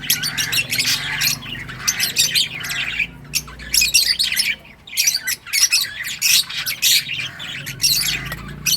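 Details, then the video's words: Lovebirds in many colours singing and chirping nonstop, a dense chorus of high, scratchy chirps and squawks in rapid clusters with brief pauses, over a faint low hum. "Lovebirds singing & chirping sounds"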